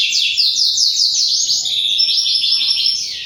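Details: Canary in full, energetic burem-style song: a continuous, dense outpouring of high rolling trills and warbles with no pauses, briefly shifting to a run of bright repeated notes.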